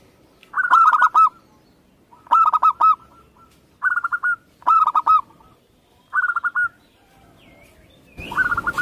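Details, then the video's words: Local Indonesian Zebra dove singing repeated cooing phrases about every two seconds. Each is a stutter of quick notes ending in a drawn-out level tone, and a burst of rustling noise comes at the end. "Perkutut lokal"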